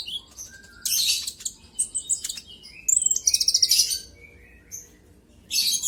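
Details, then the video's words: Sunbird (konin) singing as a lure to provoke a rival. Scattered lower whistled chips are broken by loud scratchy bursts and a fast, even rattle of high notes. "Pancingan burung konin kolibri ninja auto gacor"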